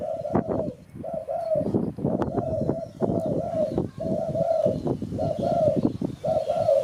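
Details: Spotted dove calls, used as a lure for catching birds: a series of steady, mid-pitched cooing phrases, each about half a second long, repeated roughly once a second with short gaps, plus a few faint higher notes behind.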